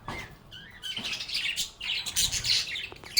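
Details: Playing, singing lovebirds (Agapornis) give a short run of loud, harsh high chirps and squeaky twitters, a few brief whistled notes between them, with many birds overlapping and a faint low hum.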